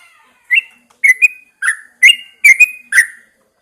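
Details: Caged Yellow-vented Bulbul put out at dawn for fresh morning air sings short bursts of bright, bubbly slurred notes, six phrases spaced roughly half a second apart after a quiet start.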